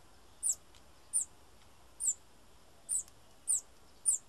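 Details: Bananaquit calls: thin, very high, sharp descending notes repeated irregularly about every half second to second, six notes over quiet background.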